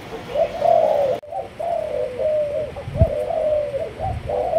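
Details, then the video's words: Cooing of a Malaysian-strain spotted dove: a continuous string of soft, low, wavering hoots. A sharp knock breaks in midway and a dull thump follows. "Cu Gáy Malaysia Nhiều Dòng"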